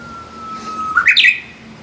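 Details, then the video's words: Korean bush warbler singing in April, newly returned summer visitor, close by in a bamboo thicket on a hillside behind a mountain-village house: a long, steady, low whistle sliding slightly down, then a quick, rising, warbled flourish of higher notes. "휘파람을 부는 새가 있다"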